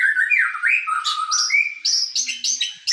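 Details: Murai, a white-rumped shama, singing sujud: smooth rolling whistles that dip and rise at the start, then a series of crisp, bright, high notes given in quick succession.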